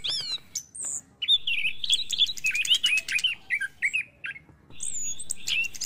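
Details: An orange-headed thrush sings in the morning, a rich, varied run of sweet whistles, slurred trills and sharp high notes in quick, irregular phrases over a faint low hum; used as a lure song to prompt other thrushes to sing.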